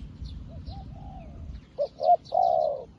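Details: A new decoy spotted dove calls wild doves in. A few quiet coos lead to one full phrase of two quick notes and a sustained rolling coo, with faint high bird chirps behind.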